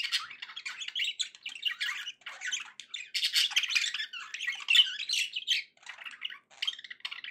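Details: Steady chattering warble from pet budgerigars, a fast unbroken stream of buzzy squawks, clicks and squeaks rising and falling in loudness over several seconds.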